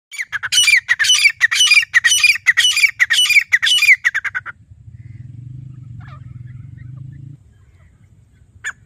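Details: Grey francolin calling in jungle: a loud rapid series of harsh, squawking notes repeated about twice per second for four seconds, then a low engine-like hum and quiet.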